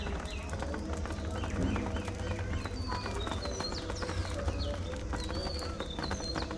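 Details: Budgerigars in a cage setup chattering together: many short, high chirps and quick warbled up-and-down sweeps overlapping throughout, over a steady low mechanical hum and scattered tapping clicks.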